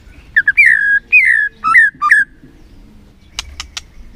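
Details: Lure recording of a white-rumped shama to stir a quiet bird into singing: a brisk run of clear whistled phrases, some sliding down, others hooked upward, then silence broken by three dry clicks.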